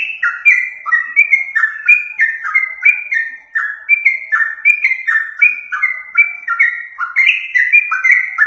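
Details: Continuous loud song of a yellow-vented bulbul, used as a lure. Rapid liquid whistles tumble up and down in short linked phrases, dense and unbroken, with faint high ticks alongside.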